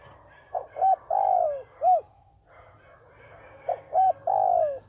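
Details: Spotted dove used as a trapping decoy gives two cooing phrases, each of two short coos, a drawn-out falling coo and a final short coo, separated by a pause of about a second.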